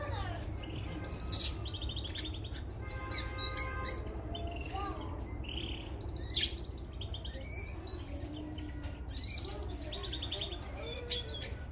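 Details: Belgian canary, possibly a young bird in training, singing bright chirps, rolling trills and a few steady whistled notes in quick, varied phrases, over a constant low hum.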